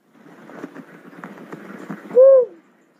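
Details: After a stretch of rustling, crackling background noise, a cuckoo-dove gives one clear, hollow coo with a slight downward bend at its end.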